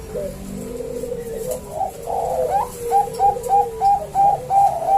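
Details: Two male Bangkok zebra doves answer each other in lively calling. Low cooing opens, then a quick run of clipped, evenly spaced notes rising in pitch and loudness repeats about three times a second.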